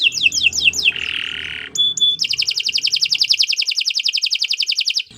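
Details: Canary in nonstop 'gacor' song, a tutor recording: four quick downward-swept notes, a harsh buzz, a thin pure whistle, then a long steady trill of rapid bright notes.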